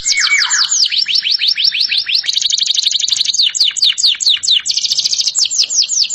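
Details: Canary song with changing tours: sweeping whistled notes, a dense buzzy trill, then more repeated swoops and another fast rattle.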